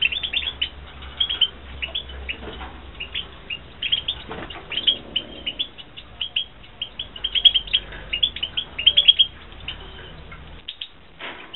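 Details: Captive European goldfinches kept for breeding in 2016 give a steady stream of short, high chirps and twittering notes, some in quick bursts, with faint low background hum throughout.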